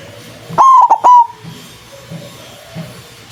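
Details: White zebra dove with a loud voice, recorded as a lure for trapping doves: one loud, clipped phrase of three short cooing notes with a quick stutter in the middle, then faint background rustle.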